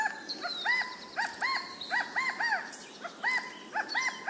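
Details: California quail (Callipepla californica) call: short, arched, mellow notes in quick overlapping bursts, as if several birds call together, with fainter high chirps behind.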